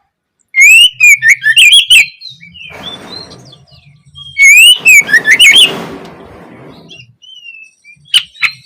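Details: Kacer (Oriental magpie-robin) opening song, meant as learning material for young birds: two bursts of rapid whistled notes, each followed by a rough, noisy rush of sound, with a soft low hum beneath.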